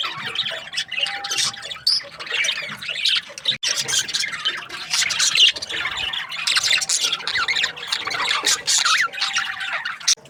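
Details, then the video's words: Happy budgies during breeding season keep up a busy, continuous chatter of scratchy chirps and warbled squeaks. A faint steady tone comes and goes underneath, and there is one brief drop in the middle. "Happy budgies chirping sounds | breeding season"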